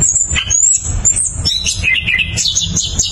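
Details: Orange-headed thrush, known locally as anis kembang, in rolling lure song: very high, thin sustained whistles and brief buzzy trills strung together without breaks, over faint low-pitched noise.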